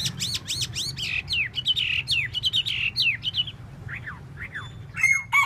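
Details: Chinese hwamei tail-dancing, pouring out quick down-slurred whistles and squeaky notes, ending in a few high piercing phrases.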